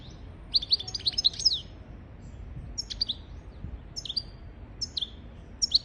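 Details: Goldfinch song for training goldfinches and canaries: a jumbled cluster of sharp, high chirps and buzzy twitters, then separate short chirp phrases repeated about once a second, over a quiet hissy background.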